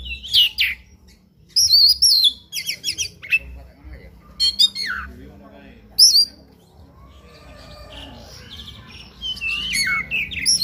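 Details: Oriental magpie-robin in a fighting mood giving loud trilled bursts and a descending whistle in the first half, then fainter, softer warbling continuing over rising background noise.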